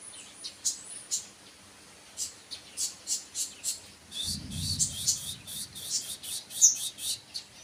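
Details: Sunbird singing a series of thin, very high chirps and short trills, in quick bursts of notes with brief pauses between them. A low rumbling thump intrudes around the middle, over faint background hiss.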